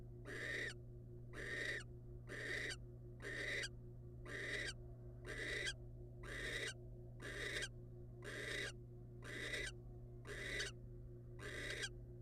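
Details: Wild male barn owl bringing a rodent to the female: a long steady series of hoarse hissing screeches, about one per second, very regular, with a low hum beneath.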